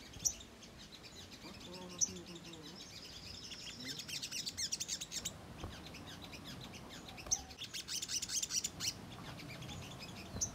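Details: Ruby-cheeked sunbird lure song for provoking a response: long, busy series of thin high chirps and trills, with louder twittering bursts and scattered sharp single notes.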